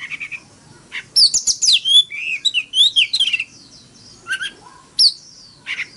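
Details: Oriental magpie-robin decoy singing a fighting song in forest-voice style to stir other birds into morning song. A brief call opens the recording, then a fast string of varied slurred whistles and chirps, followed by sparse single phrases.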